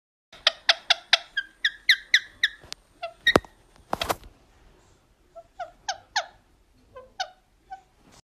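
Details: Talking parrot: a quick run of about eight squeaky, harmonic, speech-like notes, then a sharp click and a short harsh burst, followed by scattered shorter chirped syllables after a pause; quiet indoor setting.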